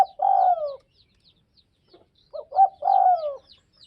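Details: Spotted dove from Northwest Vietnam giving two low, mellow coo phrases, the second opened by quick clipped introductory notes before a drawn-out downward coo, with faint high chirps of other birds in the background.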